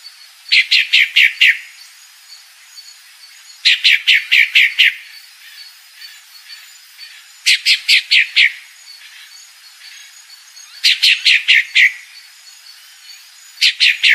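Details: Female pale-breasted thrush giving a call of five or six rapid, harsh notes, repeated about every three to four seconds, with faint soft twitters in the pauses.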